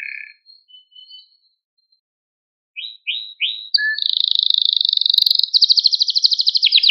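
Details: Training song for young canaries, meant to excite and stimulate: a few soft short notes, a pause, three quick rising chirps, then a long, fast, high trill that builds in loudness to the end.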